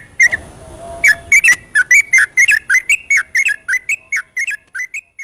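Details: A yellow-vented bulbul sings 'ropelan' at night as a lure for stubborn birds: after an opening note and a faint low tone, a rapid, unbroken series of bright chortling whistles follows.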